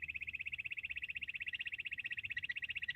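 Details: Bush quail call recorded as a hunting sound: a fast, even, ringing trill of about thirteen pulses per second, steady in pitch throughout, with low background rumble.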